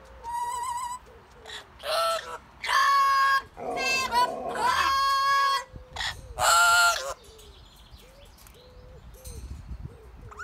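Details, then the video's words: Blue-fronted Amazon parrot singing outdoors: four loud bursts of harsh, ringing squawks and whistles over ten seconds, with soft repeated chirps of small birds behind. "Mon perroquet amazone fait son show"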